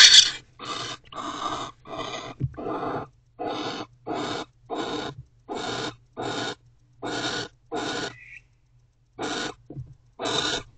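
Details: Wild barn owls in a nest box at night, 10:59 pm on 1 January 2024, a male returning and the pair mating while another owl comes too close; rhythmic harsh breathy hisses repeated about every second, a dozen bursts.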